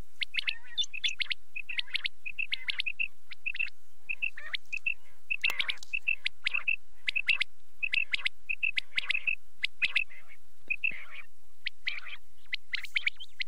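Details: Night calling of quail: paired and tripled sharp chirps repeating in rapid bursts almost without pause, many overlapping voices forming a busy, steady chatter over a still background.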